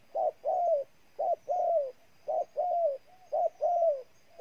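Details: Spotted dove in Ninh Thuận, Vietnam, cooing steadily: a brief note followed by a drawn-out, slightly descending coo, the pair repeated about every second with quiet gaps between.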